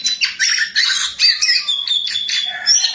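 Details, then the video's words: Jongkangan in the wild, singing actively: bursts of high, scratchy chattering notes and thin whistles, with short pauses between phrases. "Burung Jongkangan Gacor"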